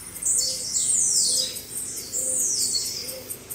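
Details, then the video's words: Several blue-black grassquits in a 'baderna' chorus meant for training caged birds give bright, buzzy, falling high notes that overlap in bursts, with a faint low tone repeating steadily underneath. "Baderna de Tiziu Ótima Para Foguear"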